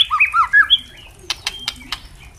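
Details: Tutor song of a captive white-rumped shama for training young shamas: a quick series of wavering whistled notes climbing upward, then a few dry clicks and a faint level whistle.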